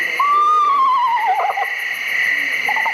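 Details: Recorded Eastern Screech Owl call played back at a naturalist's owl program. A plaintive quavering whistle descends in a shaky wail, then short bursts of trilling follow, with a constant high tone in the background.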